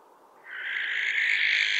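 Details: Barn owl giving one long, harsh, hissing screech that starts abruptly and holds steady for about a second and a half, with no other sounds.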